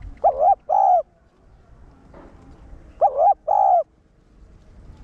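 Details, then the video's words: Cooing of a spotted dove in the one-tail-note style, played to excite caged males into calling: two double-note phrases about three seconds apart, a brief warbled coo then a longer steady one, with a soft tap between them. "Cu gáy mồi cây 1 hậu gù, thúc kích bổi điên máu ức chế. cu đất gáy"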